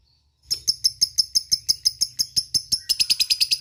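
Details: Lovebird chattering ngekek call to companions: a steady rapid run of high, scratchy chirps, about five per second, quickening toward the end.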